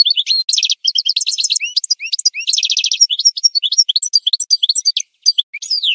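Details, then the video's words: Goldfinch in full song for a tutor recording: six seconds of rapid twittering, liquid slurs and two buzzy rattled trills, barely pausing, ending in falling sweeps. "The Best Singing Goldfinch 12h"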